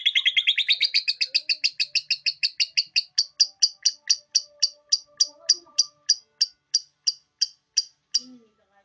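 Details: Ngekek-style song from a caged lovebird on the bars: a dense rattling chatter that slows into evenly spaced sharp chips, about three per second, fading toward the end.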